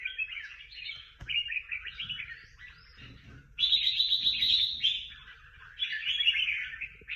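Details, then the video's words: Songbird from a singing contest, among prize-winning competition birds: bright warbled phrases of mid-high twittering, broken into bursts with short pauses, one louder rapid run in the middle, faint low rumble underneath. "Những chú chim hót đấu hay nhất và được nhiều giải nhất"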